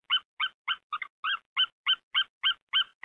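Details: A female White-tailed eagle at her nest in Hungary, 8 February 2019 at 14:42, calls for the male to swap incubation duty: a fast, even series of about eleven sharp, bright double-toned yelps in three seconds.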